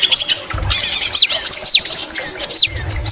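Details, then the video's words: Lively white-rumped shama song packed with greater green leafbird mimicry: dense, rapid chattering phrases of sharp high notes and quick downslurred whistles, with scarcely a pause throughout. "Murai batu isian cucak ijo Gacor Mewah"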